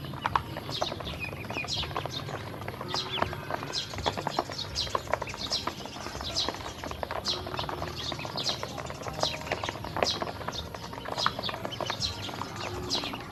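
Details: Hungry domestic ducklings, a group being given feed and drinking water by a woman: high, thin downward peeps repeated constantly by many birds, over a steady patter of pecking and clicking sounds.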